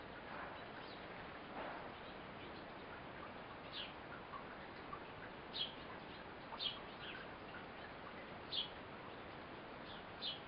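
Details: Female Eurasian blue tit feeding her young fledgling; brief high-pitched chirps come in irregular clusters, several close together toward the end, set against constant broadband hiss.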